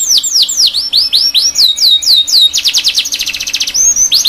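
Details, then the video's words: Tutor song of a canary for young canaries learning to sing: swooping U-shaped whistles in a run, then a fast rattling trill, ending in long downslurs. "MASTERAN KENARI PAUD BELAJAR BUNYI | CANARY SINGING"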